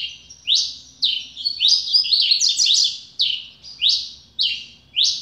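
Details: A newly acquired pet Double-collared Seedeater sings a quick string of high, sharp upslurred chirps mixed with tangled buzzy notes, roughly two per second, over a faint low hum.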